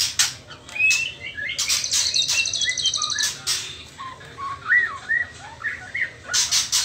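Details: Juvenile white-rumped shama, trotol stage before pastol, singing a varied string of clear whistled and slurred notes rising and falling in pitch, with a brief high trill and repeated sharp clicking noises throughout.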